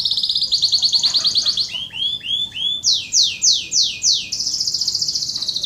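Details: Canary lure and training song for contest birds: fast high trill, a few rounded rising-falling notes, then loud repeated downward sweeps and a final rapid trill.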